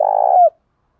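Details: A decoy spotted dove calling to lure wild doves into a cooing contest. A single low, husky coo note holds level and then ends in a brief downward slur, followed by silence.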